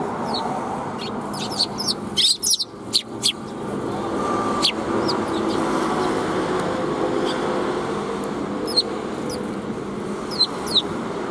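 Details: Sparrows greeting someone on the outward path, 16 April 2021: bursts of high chirps early on, then sparse single notes, all over constant traffic noise from passing vehicles.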